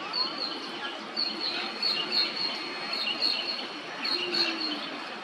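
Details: Sharp-tailed Sandpipers, Siberian breeders wintering at Cairns, Australia, and usually seen in flocks of dozens, give thin, high twittering notes in quick, uneven bursts, several a second, over a steady outdoor hiss.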